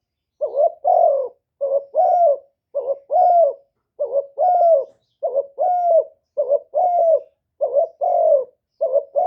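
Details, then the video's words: Decoy spotted dove in 'one-ending' style song to lure and provoke wild doves: steady series of paired coos, brief rising note then drawn-out falling coo, about fifty phrases a minute, clean and loud. "TIẾNG CHIM CU GÁY 1 HẬU RÒNG BỔI CỰC GHÉT, CU GÁY KÍCH BỔI CỰC CHẤT, TIẾNG TIẾNG CHIM MỒI"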